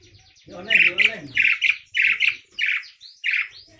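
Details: Asian pied starling (Javan jalak suren) chattering noisily: a run of loud, rasping, buzzy notes repeated roughly every half second, starting with a slurred warbling phrase, in quiet surroundings.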